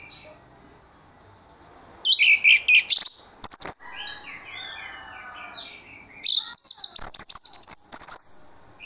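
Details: Orange-headed thrush song played as a lure so other birds answer: loud, harsh, very high chattering bursts at the start and end, with softer, varied whistled phrases between them.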